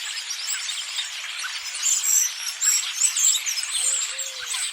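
Starlings chatter as a flock, a dense, nonstop mix of high squeaks, wheezes and clicks. A few short whistles stand out near the end.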